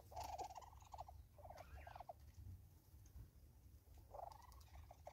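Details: Southern red-billed hornbill in South Africa giving runs of fast, mid-pitched clucking notes in short bursts, pausing between series, with faint rustling and low background hum.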